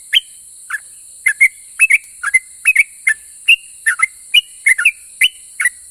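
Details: Chattering sooty-headed bulbul song meant to make other bulbuls reply: a busy run of short liquid whistled notes, dipping and rising, tumbling out in clusters over six seconds against a constant high hiss.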